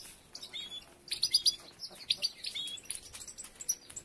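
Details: European goldfinches at nest building: bright, high chirps and liquid twitters come in quick clusters after a quiet start, with irregular pauses between bursts.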